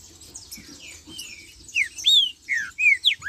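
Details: Green-winged saltator in the marcha style: a run of loud, ringing whistles, some arched and some falling, coming faster toward the end, with faint chirps from other birds behind.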